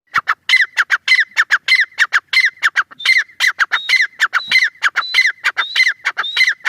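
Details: Teetar, a francolin, calling steadily with dense rasping notes, about two per second. Thin upslurred whistles join in midway through the series.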